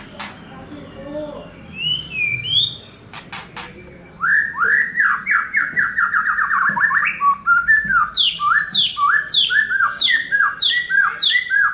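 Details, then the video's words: Caged Oriental magpie-robin, kept and groomed as a pet songbird, singing after a dry sauna session: scattered high chirps, then rapid repeated slurred whistles around the mid-range, later overlaid by a steady series of descending high notes, about four per second. "Burung Murai Batu seri F setelah di sauna kering"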